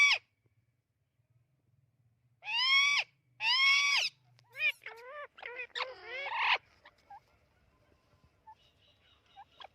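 An Amazon parrot gives two long, harsh, rasping squawks followed by a quick run of shorter chirps and nasal squeaks, then fades to faint scattered notes.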